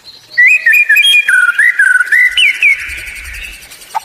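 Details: White-rumped shama lure song to get other birds singing: a run of rich, fluid whistled notes gliding up and down, ending with fading softer tones.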